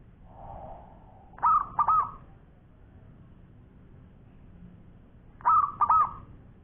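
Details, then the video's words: Champion local zebra dove, a persistent long-song singer: a soft low murmur, then two separate bursts of bright, burry cooing, each with two or three quick trembling notes, about four seconds apart in quiet surroundings. "Bunyi Perkutut Lokal Gacor Suara Panjang Juara"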